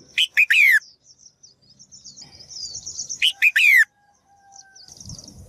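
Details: Female bird's call meant to prompt males to sing: two bursts of quick high ticks ending in a loud chirp and descending slur, linked by thin high twittering, with faint low rumble near the end.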